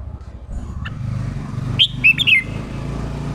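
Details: Red-whiskered bulbul, a newly caught bird being trained to give the 'ché' fighting song. A brief bright phrase of four quick whistled, slightly falling notes rises over a steady low rumble of background noise.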